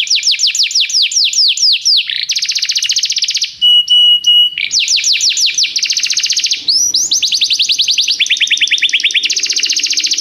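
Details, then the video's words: Song of a canary used to tutor a young canary, alternating rapid falling whistled notes, dense buzzy rolls, and a pure sustained tone, each tour repeated quickly and loudly. "canário cantando - professor para o treinamento do seu filho canário"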